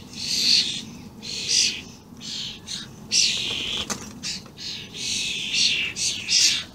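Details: Vocal young and adult common starlings, recorded 28 May 2016, in a near-continuous chain of scratchy, hissing rasps of uneven length, some overlapping.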